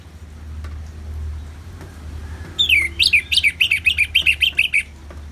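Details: Orange-headed thrush in ngeplong song with a steady low rumble of rain beneath: after a quiet start, a rapid run of around a dozen sharp high notes, some chirped, some slurred.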